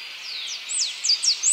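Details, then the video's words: Brief snatch of blue-and-yellow tanager song: a few thin, high, downslurred whistles, faint at first then louder, against a broad hiss. "Canto do Sanhaço Papa Laranja Pipraeidea Bonariensis"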